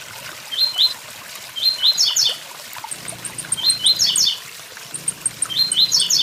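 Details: "Tui tui zel zel" song of a blue-black grassquit: clipped upward notes followed by a jumbled flourish, phrases arriving about twice in four seconds. A fine series of high ticks sits between them over constant cascading water and a low droning hum.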